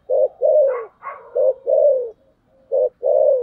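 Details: Spotted dove, thổ sấm voice in thúc gù style, giving loud, deep, rounded coos in close succession. Short notes alternate with longer sliding ones, with a few higher brief notes in the middle.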